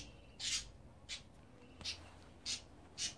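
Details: Budgerigar chicks, 24 days old, giving five short raspy, hissing bursts spaced about half a second apart, with quiet pauses between them.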